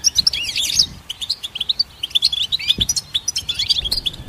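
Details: Twittering goldfinch song for tutoring songbirds, opening with a loud buzzy tangle of notes, then a steady run of bright, clipped chirps and slurred whistles repeated at a fast, even pace.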